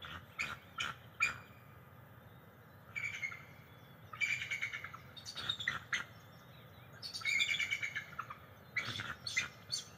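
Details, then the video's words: Bald eagle pair perched beside their nest in the NCTC area, calling back and forth on a July 22, 2023 morning, recorded by a nest cam: bursts of high, thin chirping notes alternating with short pauses, some faint tonal piping between. "Good Morning Vocals - Bella & Smitty Calling Trilling Back & Forth - July 22, 2023 NCTC Bald Eagles"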